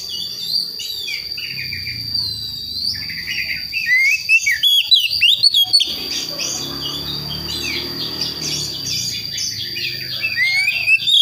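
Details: Young forest-born Priangan magpie-robin from West Java learning its song: scattered whistles, then a loud burst of rapid, sharp chirped notes midway, followed by quieter twittering and background hiss.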